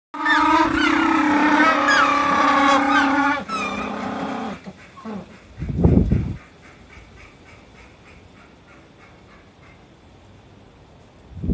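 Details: A bonded captive pair of African penguins on artificial turf at a bird park in Shizuoka, Japan, bray loudly and harshly at each other for about four seconds, scolding an intruding two-year-old penguin; then dull thumps and a quiet hum.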